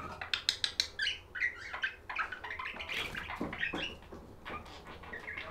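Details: Budgie chirping from a relaxing budgie sounds recording: quick sharp chip notes in a fast series at the start, then scratchy twittering and chatter with short squeaky whistles, fading somewhat toward the end.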